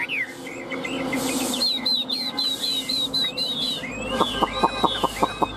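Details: Tame Chinese hwamei in Vietnam, held and teased yet singing on: a fast string of short bright whistled notes, followed by a row of sharp clicking taps near the end.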